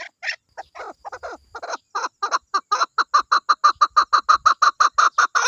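A chukar gives a harsh, clucking chuck-chuck series that starts ragged, then settles into a steady, quickening run of about three to four notes a second.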